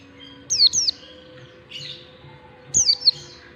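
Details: Oriental white-eye singing in the long standard 'ngalas' style, used as a lure to teach young white-eyes to sing: two bursts of high, thin, rapidly descending whistled notes, a softer phrase between, over a faint low hum.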